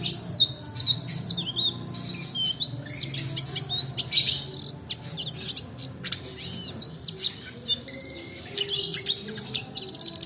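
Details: Roll-style song of a long-tailed shrike, meant to spur lazy birds to sing and to train others: varied whistled slurs and quick chirps, fast and unbroken, with a faint low hum beneath.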